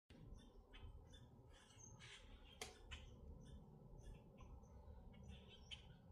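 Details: Grackles in Minnesota giving a busy series of harsh, scratchy squawks and short rasping bursts, several overlapping, with a sharp snap near the middle over a steady low rumble.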